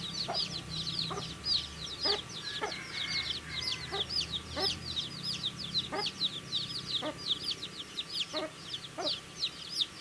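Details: Baby chickens chirp while eating food: dense, continuous high peeping from many chicks, with regular soft pecking taps about once a second and a faint steady hum beneath.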